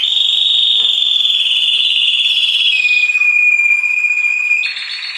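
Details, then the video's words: Orange canary singing: a long, steady whistled note held for seconds, sliding slightly lower, then a brief higher buzzy ending. "singing video canary orange the most special canary 2023"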